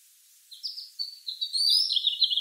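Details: A red house finch sings under a blue sky, a quick, jumbled warble of high, twittering notes that runs for about two seconds and grows louder toward the end.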